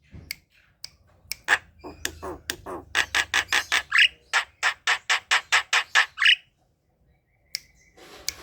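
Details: Javan pied starling kept at home, coaxed to sing in the morning: a fast train of harsh, rasping chatter notes, about two per second at first then quicker, with a brief rising whistle mixed in.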